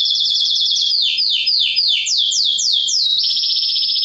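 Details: Singing male canary stimulating hens for mating: a rolling trill, then a run of about eight swooping downward-slurred whistles, ending in a fast buzzy high trill.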